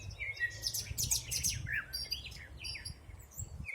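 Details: Several wild birds singing in a spring forest in 2020: dense high chirps, trills and short whistled notes overlap at a fast, irregular pace over a low background rumble.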